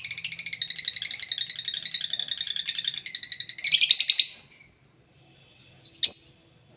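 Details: Several caged lovebirds kept together in one cage, noisy and singing actively: a dense stream of sharp, high chirps for about four seconds, then a louder buzzy burst and a few scattered short notes.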